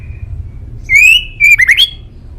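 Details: White-rumped shama (murai batu), male, master song: a long rising whistle held steady, then a quick cluster of sharply slurred whistled notes climbing in pitch.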